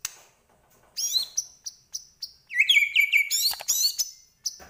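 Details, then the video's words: Medan white-rumped shama producing short high sharp notes, then a fast buzzy rattling trill and squeaky twittering phrases. "Murai Batu Medan Gacor Full Isian"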